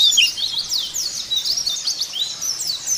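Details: White-eye song used to coax caged white-eyes into singing: bright, high, slurred twittering notes in quick succession over a steady hiss of background noise.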